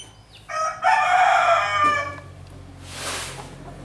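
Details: Grey-backed, red-legged pheasant giving one hoarse, crowing call lasting over a second, harsh and rasping, followed by a short whooshing burst of noise.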